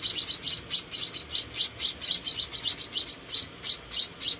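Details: Rescued Munia nestlings, four chicks, fed by hand: clear, regular, very high-pitched chirps, each short and squeaky, repeated three to four times a second.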